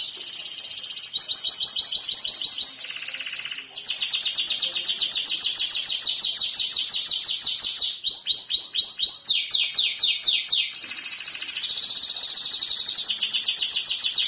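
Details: A canary sings a long, varied song of high buzzy trills and rolls, switching between several distinct phrases, some lower and some quicker, in an unbroken stream.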